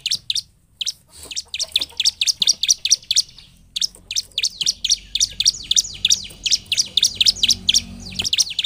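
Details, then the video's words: Bar-winged prinia singing energetically, used to lure reluctant prinias into singing; a rapid series of sharp, high chirped notes, roughly three to four per second, continuing steadily with a faint low hum underneath. "Cukup 5 detik ciblek malas bunyi akan terpancing bunyi dengar suara ciblek gacor ini"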